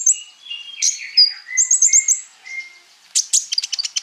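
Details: Scarlet-backed flowerpecker song for training sunbirds: high trills and thin whistled notes of varying pitch, then a burst of sharp rapid ticking.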